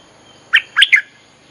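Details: Short bulbul phrase from a lure track for calling wild birds: three full, warbled, bubbling notes, the last two run together, loud and close.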